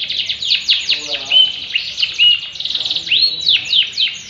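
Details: Yellow canary in full, vigorous song: rapid high trills and buzzy rolls mixed with clear whistled notes and sharp downward sweeps, delivered in a continuous stream with no pauses.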